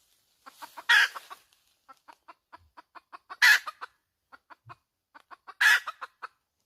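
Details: Hen calling: runs of short, clipped clucks punctuated by three loud, harsh, broadband squawks about two seconds apart, the clucks quickening before each squawk; no other sounds.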